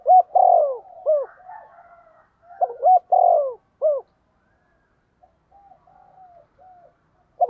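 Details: Decoy spotted dove calling to draw and provoke wild rivals: two cooing phrases with long falling notes, each trailed by a short hooked coo, then soft quiet murmurs and a last coo.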